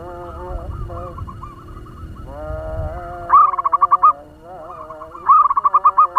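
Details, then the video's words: Zebra dove kept as a decoy with a fast-paced voice meant to excite other doves; softer overlapping coos and low murmur open the recording, followed by two clear bursts of rapid staccato cooing notes. "Perkutut lokal pemikat suara ngebut‼️Bikin perkutut lain ribut"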